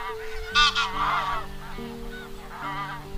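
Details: Wild goose calling its flock, a recording meant as a lure for net trapping; loud nasal honks burst out early, followed by softer wavering, overlapping honks, all over steady sustained background music tones.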